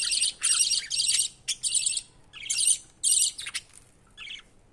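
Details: Young budgie pleading for food from its father, producing loud grating buzzy squeals in short bursts, some longer and some clipped, separated by brief silences.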